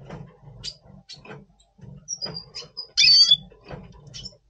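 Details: Red siskin of the Double Pastel mutation, recorded in November 2023 in breeding mood before breeding; soft clicking and ticking notes, thin high whistles, and one loud buzzy burst partway through.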